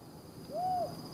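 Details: Desert Tawny Owl, part of a calling pair in a remote Judean Desert spot in Israel, giving a single drawn-out, slightly arched hoot over faint hiss.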